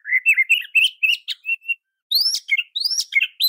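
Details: Oriental magpie-robin training song for other magpie-robins, a quick run of warbled mid-pitched whistles, a short gap, then higher rising whistles mixed with sharp, scratchy notes.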